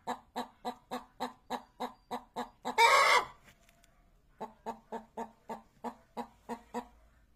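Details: Rhythmic short clucks from a chicken, about three per second, then a sudden loud, coarse squawk near the middle. A pause of over a second follows before the regular clucking starts again.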